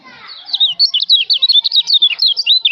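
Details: Lombok white-eye (kecial lombok) singing for a songbird training recording: loud, rapid, high twittering phrases of quick up-and-down notes, given continuously without pause.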